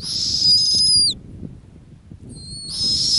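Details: Female snowy owl nesting on the ground in the Arctic gives two high, drawn-out whistled calls, each about a second long, the first ending in a slight downward slide and the second starting after a short quiet gap.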